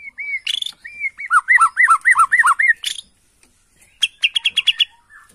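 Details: Bornean white-rumped shama reacting to a lure recording: a run of clear looping whistles repeated about six times, then a pause and a rapid series of sharp high chattering notes.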